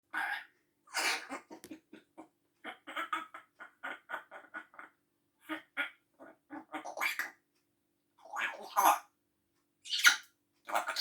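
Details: Pet grey parrot imitating a human indoors: a run of short, clipped, laugh-like bursts with several louder breathy, cough-like outbursts spaced through the recording.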